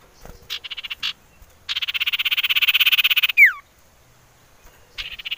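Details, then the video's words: Common iora, played as a lure for singing birds: short rattling bursts, then a long rapid buzzy trill ending in a sharp falling whistled slur, and another rattle after a pause. "Siulan Merdu Cipoh Sirtu"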